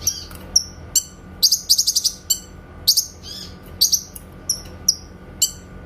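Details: Grey-cheeked bulbul singing clear 'tembakan' shot notes for songbird training: piercing high chips and brief rattles in quick irregular bursts, interspersed with downslurred whistles, over a soft electrical hum.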